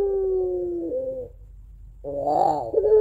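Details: Home-kept puter pelung dove, a Barbary dove whose long crying two-note song lures other doves. End of a held tone, a lower dip, quiet gap, then a rough warble leading into another steady note.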